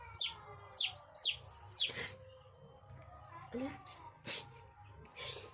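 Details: Young chickens peeping: four sharp, high, falling chirps about half a second apart, then softer scattered clicks and rustles with a faint low hum.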